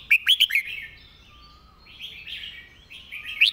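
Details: Red-whiskered bulbul master song for bird teaching: opens with four quick loud whistles, then low continuous warbling phrases, ending on a single rising whistled note.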